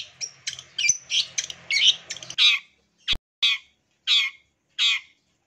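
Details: Long-tailed shrike sound for encouraging quiet caged birds: a tangle of chattering and whistled notes over low hum, then a sharp click and four separate harsh squawks spaced about 0.7 seconds apart.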